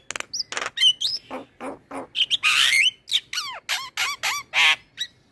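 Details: Male Javan myna singing in gacor style, a lure recording for training young birds to sing: a dense run of harsh broadband squawks mixed with sharp rising and falling whistled notes, about thirty bursts in five seconds.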